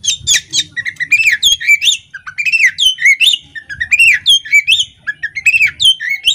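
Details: Female Oriental magpie-robin singing actively with its tail spread, used to provoke male birds: a rapid, varied run of clear whistled notes that rise and fall, some with sharp upswept ends, packed densely with brief gaps.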